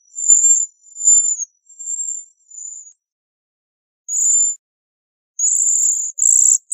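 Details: Bohemian waxwing uttering a run of four high, thin, slightly buzzy notes, then after a pause a few louder, shorter sibilant notes in quick succession.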